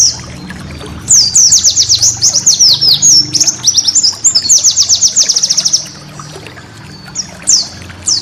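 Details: White-eye master song for training cage birds: rapid high chirping trills and downslurred notes, bursts separated by brief pauses, faint low hum beneath.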